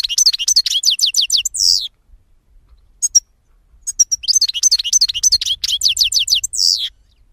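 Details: European goldfinch delivering fast repeated downslurred chirps, several per second, closed by a buzzy nasal note; a pause with a couple of clicks, then a second similar phrase of rapid twitters.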